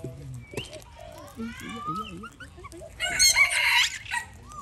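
A person talks for a few seconds, then an Alexandrine parakeet gives a loud, harsh, grating screech about a second long, with shrill whistled edges.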